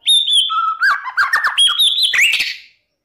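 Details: Short burst of White-rumped shama morning song used to provoke rival shamas. A clear high whistle drops to lower warbling whistles with quick slurred notes, ending in a rising twitter.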